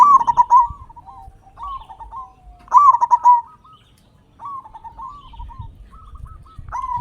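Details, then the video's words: Local zebra dove with a big voice, used to get other doves singing; two loud rolling coo phrases and several softer, quavering coos in between. "Perkutut Lokal Gacor Suara Besar Pancingan Burung Perkutut Agar Cepat Bunyi"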